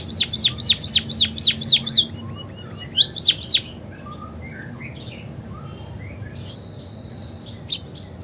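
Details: Munia voicing canary imitations: a quick string of about eight crisp, high, downward-slurred notes, a short gap, a brief second burst, then soft scattered chirps.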